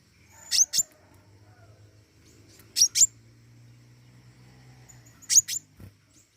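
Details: Flowerpecker (pentis raja) calling eagerly: brisk pairs of piercing high ticks repeated at uneven intervals about two seconds apart, with a low background drone.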